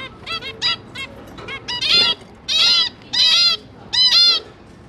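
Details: Zebra finches, two parents and their three newly hatched juveniles at feeding time, 5 September 2022; quick nasal beeps lead into four loud, drawn-out harsh honking calls about every 0.7 seconds.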